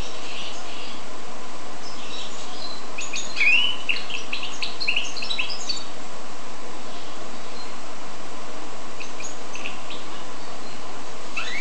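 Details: Goldfinch crossed with canary delivering a rapid, jangling twittered phrase of mixed sharp and rising notes for about three seconds, followed by sparse, faint notes and a final upswept note, over a steady hum.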